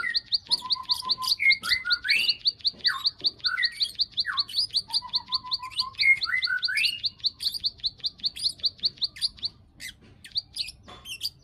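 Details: Rapid high clicks from a bar-winged prinia, used as a lure for breeding condition, accompanied by lower whistled slurs and short trills in the first half; the clicking stops near the end, leaving scattered chirps.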